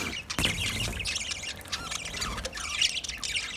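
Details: A group of budgerigars eating food, giving a soft stream of high chirps and warbling chatter. A sharp knock comes near the start and a faint low hum runs beneath.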